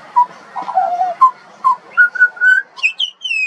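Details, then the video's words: Juvenile pied butcherbird, an Australian songbird, singing a run of clear fluted whistles, low mellow notes first, then a rising series of brighter notes and a few higher upslurred whistles at the end. "Butcherbird. Bird Singing. Bird Call and Sounds"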